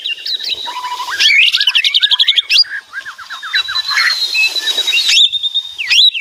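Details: Loud, varied song of a white-rumped shama (murai batu): dense rattling trills, fast rising and falling whistles, buzzy chatter and a sustained high whistle, delivered almost without pause.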